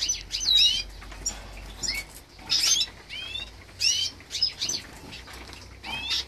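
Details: Green siskin × canary hybrid during a 2023 nest check, giving high, thin chirps and curved upslurred notes in short bursts every second or so, with soft wing flutters between.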